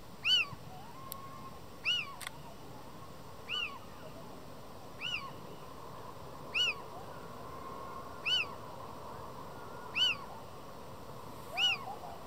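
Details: Male little owl in breeding season near Madrid, February 2023, mewing insistently beside a female while another owl answers nearby: about eight arched, nasal, mewing notes, evenly spaced roughly every one and a half seconds, over a steady low background hiss.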